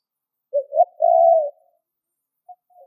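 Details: Spotted dove giving a low coo used to lure other birds: two short soft notes followed by a longer drawn-out hollow coo, then a brief faint note after a pause, in otherwise quiet surroundings.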